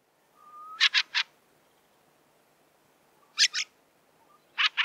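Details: Fieldfare uttering loud, harsh chack notes in quick runs of two or three, spaced by about two seconds of near quiet.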